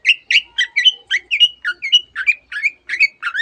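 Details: Long-tailed shrike, a lively singer, imitating canary and many other birds; bright two-part chirped notes repeat rapidly, each with a quick upward or downward slur. The background is clean.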